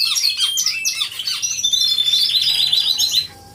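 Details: Many canaries singing together in an aviary, captured by a hidden camera: dense overlapping high trills and chirps, with a long buzzy rattling trill in the middle before the chorus suddenly drops away near the end.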